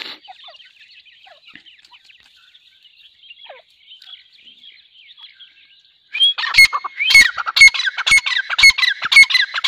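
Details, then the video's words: Grey francolin calling: faint scattered chatter for about six seconds, then loud, harsh, rapidly repeated squawking notes with a ringing tonal edge that continue to the end. "Teetar ki awaz"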